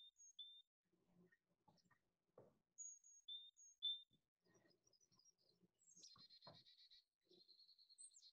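Carolina Chickadee: thin, high whistled notes, then a run of harsh, buzzy 'dee-dee-dee' notes near the end. Faint low rustling underneath.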